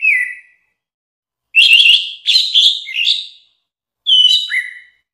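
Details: Orange-headed thrush singing as tutor material for songbirds: a lone whistle, then a rich run of varied, rising and falling notes. After a pause comes a clear two-part whistle that drops in pitch.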